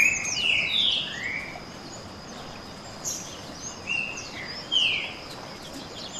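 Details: Two green-winged saltators in a canto boi song contest, heard a little farther off. Two bursts of whistled slurred notes are separated by a quiet stretch, with a steady background hiss.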